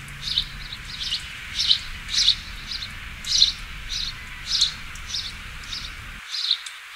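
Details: Sparrow chirping in a steady series of short, sharp notes, roughly one every second, with light background hiss.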